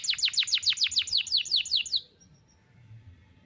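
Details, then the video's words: Tutor song for teaching young canaries to sing, from a bird noted for sharp bursts: a fast, even trill of sharp descending notes lasting about two seconds, ending abruptly into near silence. "KENARI GACOR NEMBAK TAJAM , DURASI PANJANG SATU NAFAS || CUIT CUIT MASTERAN KENARI PAUD AGAR BUNYI"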